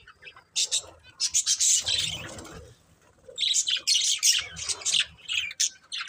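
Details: Breeding pair of budgerigars chattering: bursts of shrill, scratchy high chirps, a softer lull with low rumbling in between, then a renewed rapid run of chirps.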